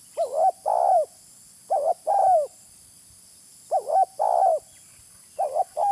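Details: A spotted dove call recorded for use as a lure, with four two-part phrases. A brief quavering coo leads into a drawn-out coo that sags in pitch as it fades. Pauses between phrases are uneven, some close together and one gap longer.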